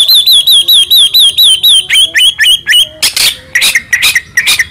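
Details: Murai batu (white-rumped shama) singing a full, varied song: about ten quick, looping, clear whistled notes in a steady run, then shorter, varied, slurred notes, and finally several harsh, raspy, broad bursts.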